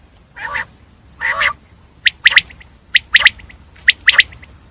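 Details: Two soft, nasal, throaty notes from a common quail precede three quick phrases of sharp, dry, clipped notes spaced under a second apart.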